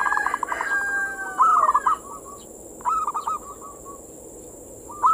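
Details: Zebra dove singing manggung-style coos used as a breeding-mood lure for local perkutut; repeated short trilled coo phrases about every one and a half seconds, with faint overlapping calls and a constant hiss.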